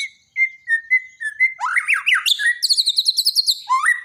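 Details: Borneo white-rumped shama, daily song training for a silent shama: a series of clear whistles, then rising swooping notes and fast high trills, closing on a rising slur.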